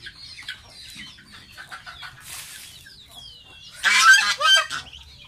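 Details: Young pet goose during a bath: scattered high peeps and short rising whistles early on, then loud broadband splashing with more peeps mixed in around the fourth second.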